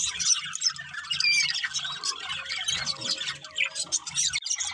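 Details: Happy parakeets chatter as they play, mixing squawky notes, short whistled slides and fast twittering, over a low background hum.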